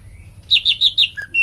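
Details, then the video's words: Cucak ijo, the green leafbird, singing a brief run of five bright, clear notes in a quick series, the last two dropping lower then rising, against a quiet background. "#cucakijoemmositinggi #cucakhijaunusantara #cucakijogacor"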